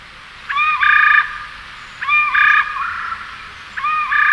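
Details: Common raven giving three drawn-out, harsh calls rich in overtones. Each lasts about three quarters of a second, with gaps of roughly a second and a half, over a quiet background.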